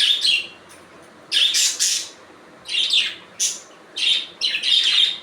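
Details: Budgerigar calls in tight pairs and clusters of raspy, high squawks, loud and broadband, arriving in quick doubled bursts across the stretch.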